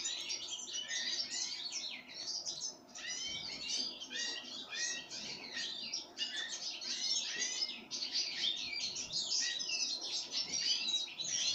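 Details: Pine grosbeak calling while being fed sunflower seeds: a dense, continuous run of short, overlapping chirps and twittering notes in a high register, with small dips in loudness but no pauses.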